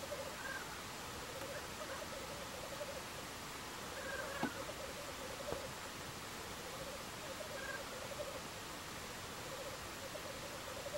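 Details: Two male black grouse fighting, giving low, soft, bubbling cooing phrases that roll on repeatedly, with a few brief higher hoarse notes, all under a steady hissing background noise.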